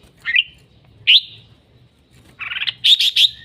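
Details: Red-whiskered bulbul singing energetically: two clear whistled notes, then a short buzzy trill followed by three rapid, bright chirped phrases at the end, with a faint hum behind.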